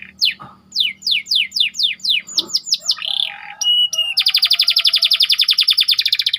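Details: Canary tight rolling song used as training bait: a steady series of downslurred notes, a brief buzzy phrase, then a long, very fast even trill.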